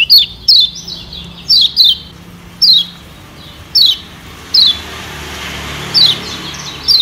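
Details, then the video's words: Kecial kuning lure for wild white-eyes: crisp high falling chirps, sometimes in pairs, repeated about once a second. "Pancingan Kecial Kuning JOSS NGOTOT Ampuh Jadi Perangsang Kecial Cepat NEMPEL"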